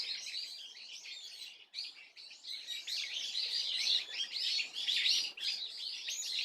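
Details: Swallow calls recorded 30 April 2024, a crowded stream of sharp, high chirps and trills that swells louder toward the end, after a brief gap early on.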